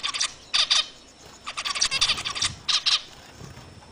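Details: Zebra finch uttering clusters of short, nasal, tinny beeps in quick pairs and triplets, separated by brief gaps, clear over a quiet background.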